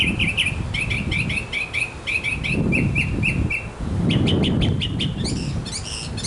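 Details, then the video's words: Backyard mockingbird singing for a female: repeated chirpy phrases in bursts, each repeated several times before switching, with a low rumble beneath and a second run of sharper notes later. "Mocking Bird 200 Sounds to Get the Girl!"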